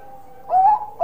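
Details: Zebra dove of the Bangkok type, a loud, lively singer: a clear, tonal coo swelling upward, then the start of a second bright coo note, with little background sound.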